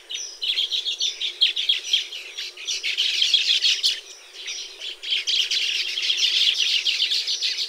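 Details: Tropical nesting Baya weavers: stuttering bursts of scratchy chirps, rising and falling in loudness, with short gaps between the chattering runs.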